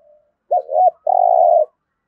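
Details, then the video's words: A single spotted dove call in the 'thổ' voice style used to trigger newly caught birds: two rounded short notes rising and falling, then a long steady coo lasting over half a second, clean and without background noise. "Tiếng chim cu gáy thúc gù + thúc đấu đủ bài giọng THỔ giúp bổi nhanh nổi"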